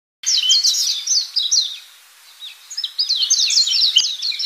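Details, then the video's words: Baya weaver calls on an afternoon outing: dense, high, rapid twittering chirps in quick bursts, pausing briefly midway before resuming, with a quiet outdoor background. "বাবুই পাখির খোজে"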